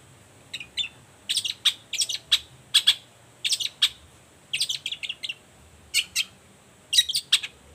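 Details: A Long-tailed shrike sings in the morning, a lure to set other shrikes calling. Evenly spaced pairs and triplets of harsh, squeaky notes repeat through the recording over a faint steady hiss.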